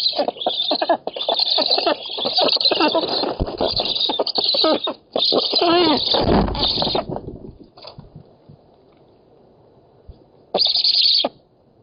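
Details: Black storks at an oak-tree nest in Poland on 7 August 2018, competing over a fish, giving harsh, wheezing, rasping calls in nearly continuous bursts for about seven seconds, then a final short burst after a pause.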